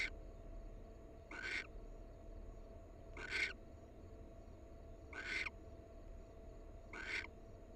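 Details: Barn owl from a wild pair. Series of five rough hissing screams, roughly one every two seconds, each a short burst of noisy rasp, with a low constant hum behind.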